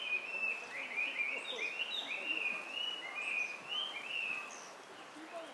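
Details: White-cheeked starlings, recorded 18 May 2019 in Japan, give a steady stream of harsh, scratchy chattering notes, rising and falling at a fairly high pitch, with several birds overlapping.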